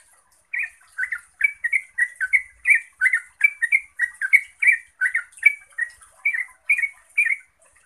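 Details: Yellow-vented bulbul singing to prompt other bulbuls to reply and sing: an unbroken chattering run of short bubbly, warbled notes, about two per second, bright and liquid throughout.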